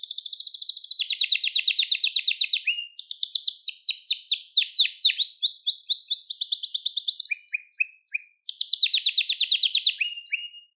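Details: Continuous canary song meant to train young canaries, packed with rapid rolling trills and sweeping descending notes between 2 and 8k, changing tour every couple of seconds with a few short whistled pips near the end.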